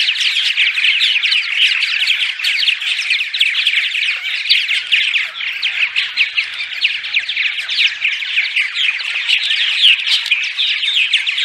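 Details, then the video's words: A colony of purple martins keeps up continuous daytime chatter, many birds overlapping in rich gurgling, croaking chirps and rapid twitters; the recording is used to lure martins, including sub-adults, to nest housing during migration. "Purple Martins (10 hours of Daytime Chatter)"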